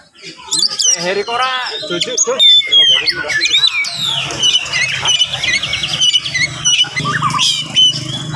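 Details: Oriental magpie-robin delivering rapid morning song to provoke other magpie-robins. Warbled phrases, stuttering trills and thin high whistles overlap with steady human chatter and a low hum.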